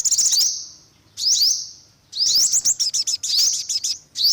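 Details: Olive-backed sunbird uttering bright, thin upward-sweeping notes in clustered bursts, roughly one burst a second, separated by brief silences.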